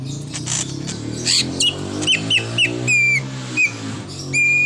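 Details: Greater green leafbird in a song of imitations, including a car horn: a buzzy opening, then a string of short, bright, down-slurred whistles, a longer level whistle, and a final sustained tone over a low humming background.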